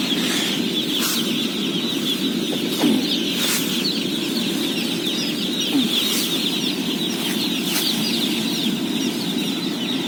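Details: A house of 17,000 day-old chicks at feeding, their massed high peeping steady throughout, with several sharp clicks and knocks and a persistent low mechanical drone.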